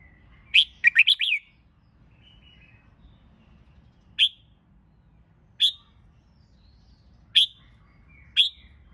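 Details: Red-whiskered bulbul, recorded to train birds for singing competitions. The clip opens with a fast warbled phrase of slurred notes. Four isolated sharp chirps follow, each one to one and a half seconds apart.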